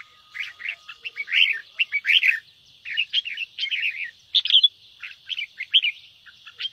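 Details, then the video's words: Red-whiskered bulbul in ché song, giving slightly softer lilting warbled notes in short groups separated by brief gaps, a constant thin high tone underneath. "Kích chào mào ché/Chào mào hót kích ché cực nhạy"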